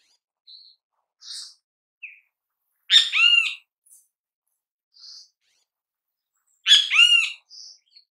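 Great kiskadee giving two loud, harsh, multi-note bursts about four seconds apart, with softer high chirps and single notes scattered between.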